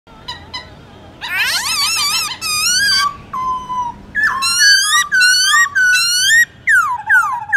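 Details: Black-throated laughingthrush singing a forest-style morning song used to train young birds: loud, rich whistled phrases with wavering harmonics, gliding slurred notes around the low register, delivered in rapid bursts with short gaps.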